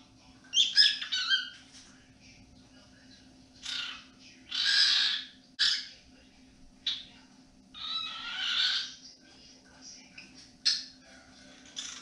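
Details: Pet male cockatiel whistling melodic tunes, including peek-a-boo, in the evening indoors: a series of short bright harmonic whistled notes and squawky bursts, separated by brief pauses, with a faint steady low hum underneath.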